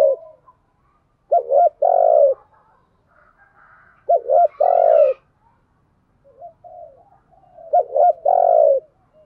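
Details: Caged decoy spotted dove cooing to lure wild birds: three phrases of a short stuttering pair followed by a sustained low hollow coo, roughly three seconds apart, with soft warbling notes in the gaps.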